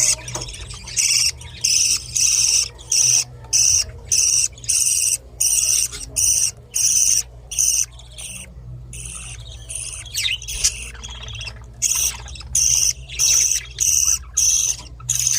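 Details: Budgerigar chicks give rapid, high, raspy begging calls in steady repeated bursts while hungry and being fed by their mother.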